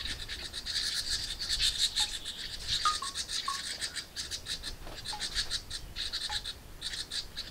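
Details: Hungry house wren hatchlings inside a nest box screaming for more food when a parent brings a meal; dense raspy high chirping in rapid pulses, with brief lower whistled notes dropping in pitch.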